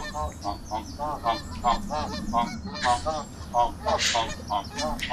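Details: A group of geese met on a walking trail honk loudly and continuously, with nasal, overlapping calls coming several times a second, plus a few rustling noises.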